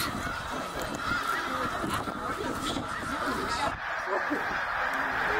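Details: Tens of thousands of migrating snow geese at Middle Creek, Pennsylvania, 2023, on their return north; a loud, steady roar of countless high barking honks blending into one continuous chorus, with a brief dip near the end.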